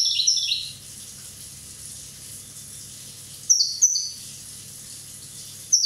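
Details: Corsican goldfinch, one year old, with a short high twitter, then after a pause a couple of sharp chirps and a final bright note.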